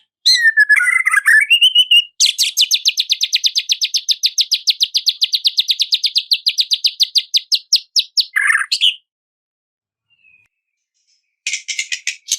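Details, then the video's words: A white-rumped shama (murai batu) singing to draw out a rival: a swooping whistle, then a long fast rattle of high metallic notes repeated about four per second for six seconds, a pause, and more high notes. "KICAUAN SUARA MURAI INI MEMANGGIL LAWAN"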